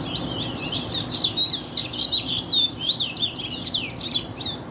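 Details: Barba branca chestnut-bellied seed finch delivering continuous rapid warbling song, a varied chain of clear whistles, slurred upsweeps and twittering notes, steady and fluent throughout, over a low background hum.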